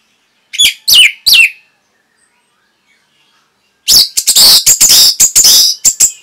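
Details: Caged-bird training song of Orange-headed thrush: three loud descending whistled notes, a pause of over two seconds, then a long fast jumble of shrill, harsh, clipped chirps.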